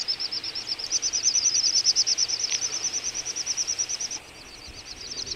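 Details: Little bustards of a wintering flock in Ag-Gol National Park, Azerbaijan, November 2014: a loud, quick series of shrill pulsed whistles that breaks off and resumes more faintly at slightly higher pitch.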